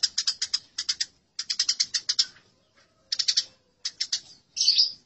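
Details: House sparrows fighting, giving aggressive calls: harsh, high chirps in rapid bursts of four to seven notes, brief pauses between runs, a buzzier squabbling note at the end; used as a training recording for caged birds.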